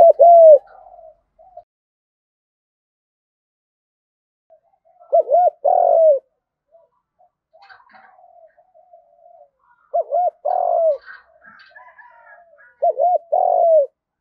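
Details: Spotted dove lure coo in the field-voice fighting style: spaced bursts of paired coos, a brief arched note then a fuller drawn-out one, separated by quiet stretches with soft low murmurs between.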